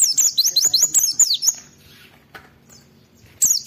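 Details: Oriental white-eye in vigorous song, played to provoke other white-eyes into singing: a quick run of high, thin, downslurred twittering notes for about one and a half seconds, a pause with faint background noise, then another high burst.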